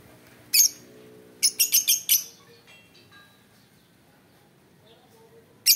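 A lovebird gives shrill, sharp chirps: one, then a quick run of four within a second, then another after a pause. Faint tonal sounds hum in the background.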